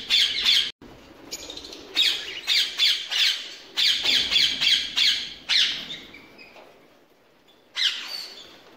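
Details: Ringneck parakeets kept for breeding, giving harsh, loud squawking calls in quick bursts, about three a second, with short pauses between runs and a final lone squawk after a quiet gap.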